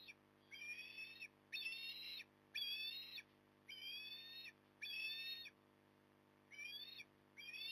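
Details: Osprey calling at its Port Lincoln nest, 08:23 on 9 October 2020: a steady series of seven drawn-out, piercing whistled cries, roughly one per second, each with a slightly wavering, rising pitch, over a faint background hum.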